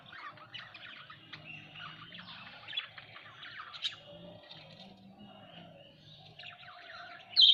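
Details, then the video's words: Budgerigars at home chattering continuously: soft warbled twittering and scratchy notes throughout, ending with one sudden loud chirp. "Bajrigar birds at home"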